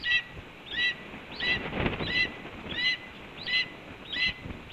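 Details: Red-tailed hawk at a Cornell nest, morning of 7 April 2013 around 8:39 AM, calling to announce food delivery: short hooked, upslurred whistled notes with a lower tone, repeated about every 0.7 seconds, steady background hiss.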